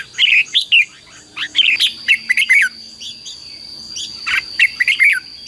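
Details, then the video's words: Red-whiskered bulbul singing an intense fighting song used as a decoy to call wild birds and excite captive ones: short warbled, slurred phrases in quick bursts over about five seconds, with a steady high whine in the background. "CHÀO MÀO HÓT GỌI BỔI CHÉ CĂNG ĐÉT QUÁ HAY - KÍCH CHIM NHANH CĂNG LỬA"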